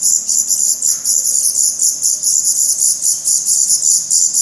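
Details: Nestling black redstarts in Portugal in mid-May 2020, filmed close to the nest: a steady stream of sharp, very high pulsed begging notes, about four bursts a second, hissy and insect-like, with no other sound intruding.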